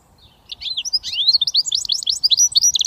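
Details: Song of a goldfinch mule, a hybrid British finch: a hurried jumble of high twittering, buzzy slurs and liquid whistles, steady and unbroken for over two seconds.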